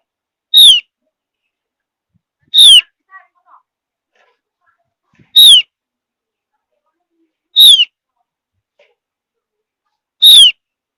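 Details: Five sharp, downward-sliding whistles from a Javan grey-throated white-eye, roughly every two and a half seconds, with a few faint chips in the gaps; the mountain forest bird's call is said to draw replies.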